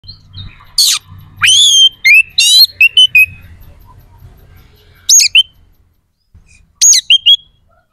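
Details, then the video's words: Oriental magpie-robin singing energetically, a recording meant to rouse aggression and breeding drive in other magpie-robins: loud, sharp downslurred whistles and buzzy rasping notes in short bursts, separated by pauses, over a faint low hum. "SUARA KACER GACOR🔴 AMPUH JEBOLKAN EMOSI DAN BIRAHI KACER"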